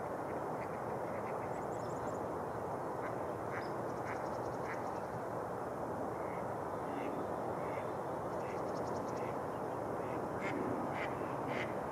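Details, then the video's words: Flocks of mallards on a thawing lake in New Brighton, Minnesota, in early spring; scattered quacks from several birds, irregular and overlapping, rising in number toward the end, above a constant rushing background noise. "Rush Lake open for mallards"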